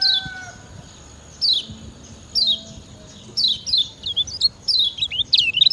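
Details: Kecial kuning (lemon-bellied white-eye) from Lombok, used as a master recording to train other birds: high, thin, down-slurred chirps spaced about a second apart, then a quicker run of twittering notes near the end.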